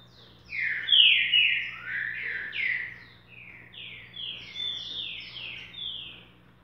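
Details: Green-winged saltator giving boca mole song, a long flowing string of mellow, downward-slurred whistles in a steady sequence lasting about six seconds, with a low constant hum in the background.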